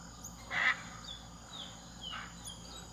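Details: A wild hyacinth macaw outside a room at Jaguar Camp, Pantanal, Brazil, 4 July 2019, gives one loud, harsh, raspy squawk, then a fainter one about a second and a half later, over a steady high insect-like hum.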